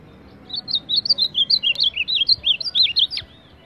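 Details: Azulão, or ultramarine grosbeak, billed as a baderna-style champion, delivering a fast, continuous string of looping whistled notes of even pitch for nearly three seconds, ending in a short downward slur; background otherwise quiet.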